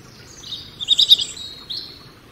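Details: Rippling song phrase of a European robin: thin, high warbled notes that swell into a quick trill in the middle, then a short closing note against a quiet background.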